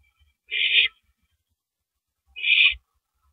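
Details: Owl shredding and eating a big rabbit at 3:33 AM, April 9, 2012, on a live camera; two rough, breathy screeches, each about a third of a second, separated by nearly two seconds of quiet.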